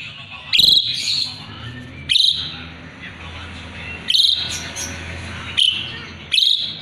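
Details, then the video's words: An Asian pied starling in full song, used to tutor magpie-robins, repeats sharp, crackling harsh notes five times with gaps of one to two seconds over a soft, steady background. "Jalak suren gacor isian murai batu auto nyaut"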